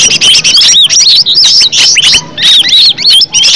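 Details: Green leafbird singing energetically, a steady flow of loud, piercing whistled slurs and twittering notes with only tiny gaps between phrases.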